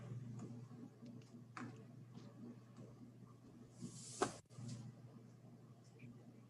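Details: Quiet indoor hum with soft scattered clicks, faint murmured speech and one sharp knock near the end, with no animal voice.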